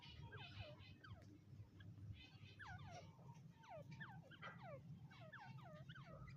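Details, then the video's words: Grey francolin, known locally as teetar, calling in a repeated series of sharp rising and falling whistled notes, several phrases close together, over a steady low hum. "Teetar k awaz"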